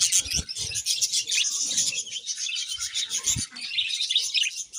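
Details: Loud budgie chirping: a dense wall of high twittering with low knocking thuds scattered through it.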